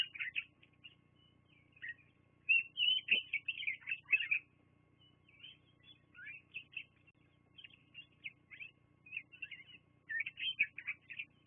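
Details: Bald eagles at the Fraser Point nest, filmed by a live nature cam on 24 September 2022, keep up long stretches of high, twittering, squeaky chatter. Dense bursts alternate with looser, scattered chirps.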